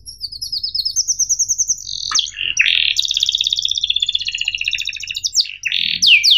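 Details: Canary singing for young birds to learn from, with a long rising twittered trill, harsh buzzy notes, then a dense rolling trill and sharp sweeping chips, over low room hum.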